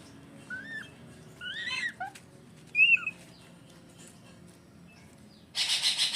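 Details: Hand-fed captive grey-headed fish eagle (Haliaeetus ichthyaetus) chick begging for food gives a few thin, high squeaky whistles, some rising and some falling, then a raspy, pulsing hiss at the end.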